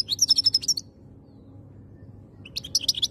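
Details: European goldfinch, a kept bird in Algeria, singing: a short burst of high tinkling twitters, a pause, then another bright twittering phrase, over a low steady hum.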